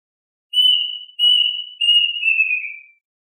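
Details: Plaintive cuckoo gathering its flock: three to four smooth, high whistles in quick succession, the pitch stepping gradually lower through the phrase before it fades. Nothing else is audible.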